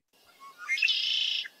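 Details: A male Red-winged Blackbird gives one of its several song versions: a few soft, clipped introductory notes, then a loud, harsh, buzzy trill lasting under a second, the familiar conk-a-ree.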